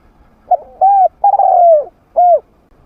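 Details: Trained decoy spotted dove with a medium-pitched voice, played to lure wild doves into fighting. One phrase: a short clipped note, an arched coo, a long slowly falling coo, then a final arched coo after a pause.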